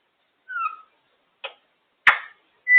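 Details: Pet female African grey parrot perched on top of her cage making her noises: a short sliding whistle, a few clicks and a harsh burst, ending on a steady pure whistle, in a quiet room.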